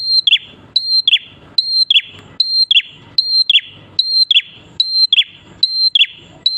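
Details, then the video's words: Lively prinia song meant to draw other prinias into singing. A level high whistled note ends in a quick downward slur. The phrase repeats evenly, roughly once every 0.8 seconds, with little background. "KICAUAN BURUNG PRENJAK KLAWU/ATAS GACOR, COCOK BUAT PANCINGAN PRENJAK BAHAN AGAR IKUTAN BUNYI"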